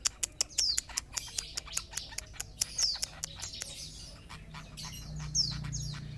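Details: A young long-tailed shrike of the Sapudi type gives a scratchy song of sharp ticking notes, several per second, mixed with high squeaky chirps over a faint low hum.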